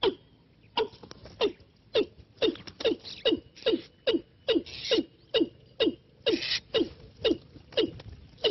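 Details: Decoy call of a watercock for trapping: a fast, somewhat uneven run of hollow, descending knocks with click-like attacks, about two or three per second, with a few short hissy bursts in the middle.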